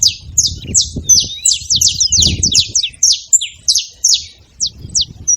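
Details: Several saffron finches, called canarinhos, gathered at a feeding spot, giving rapid high twittering chips and short buzzy downslurred notes in dense overlapping chatter, with faint low rustling and background noise.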